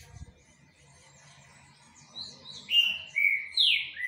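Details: After a faint low background hum, a Rufous-bellied thrush breaks into three or four loud, clear whistled notes, each falling in pitch.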